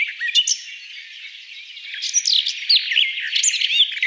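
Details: Garden warbler (Sylvia borin), song.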